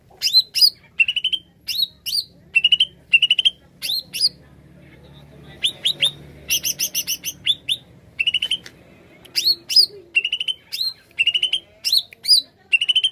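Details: Greater green leafbird song used to attract birds for trapping: long sequence of bright upslurred whistles and rapid chirp trills, including a dense buzzy stretch, repeated with little pause.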